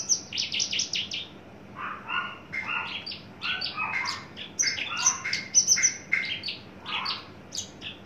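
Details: Adult male Horsfield's bush lark in a cage, very tame, naturally loud, newly coming into breeding condition. A long, dense run of rapid chirps, trills and mixed buzzy notes continues without pause, with bright high accents.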